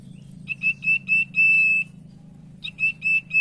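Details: Common iora (sirtu) lure song: quick clipped high whistles run into a sustained level whistle, then a fresh series of short notes starts, with a faint low hum beneath.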